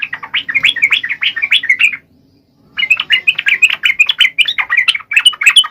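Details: Sooty-headed bulbul song, a recording used to stir reluctant captive bulbuls into singing: rapid, bubbly chattering notes in dense runs, a two-second burst, a short pause, then a longer steady stream of scratchy, warbled phrases.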